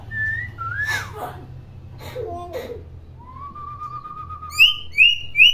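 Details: Chatty common hill myna kept to teach young mynas; two short whistles and a falling slur, soft breathy sounds, a long level whistle, then three sharp very high rising whistles at the end.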